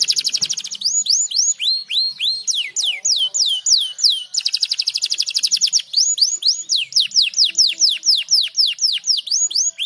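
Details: Canary song played to stimulate other birds to sing: fast, high, sweeping trills of repeated downslurred notes, about four per second, running continuously with short changes of phrase.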